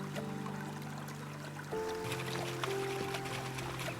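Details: Sustained orchestral music over the patter and trickle of running water, with no animal calls.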